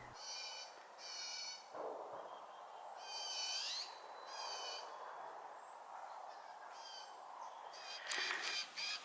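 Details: Baby Blue Jay dramatically begging its parents for food, giving harsh, nasal, squealing calls in short bursts, several a second, with a steady background hiss.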